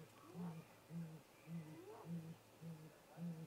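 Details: Great grey owl pair at a snag-tree nest, late afternoon in daylight, 13 April 2018, 18:58 MDT, captured by a remote nest camera. Deep, soft hoots repeat about every 0.6 seconds beneath fainter rising, upslurred notes.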